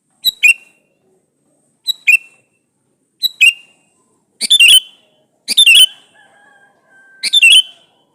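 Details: Sooty-headed bulbul male calling a female: three soft two-note phrases followed by three louder, harsher and fuller bursts of bubbly notes.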